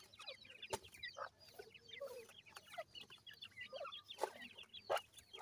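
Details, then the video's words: Seven-day-old grey francolin chicks feeding, many overlapping high, thin, down-slurred peeps and chirps in a busy chorus, broken by sharp pecking clicks and a few lower clucking notes. "Voice of Gray Francolin Pheasant bird Chicks"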